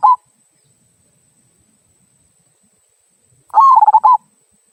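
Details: The "kung" song of a local zebra dove, used as a lure to set other birds singing: a brief coo fragment opens, then after a long silence one full phrase of level coo and rapid rolling notes.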